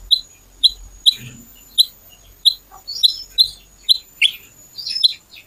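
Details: Lure recording of a little pied flycatcher, meant to prompt other birds to sing, with a sharp, lively style: a steady run of short, piercing high chips about every half second, some doubled, over a faint thin background tone.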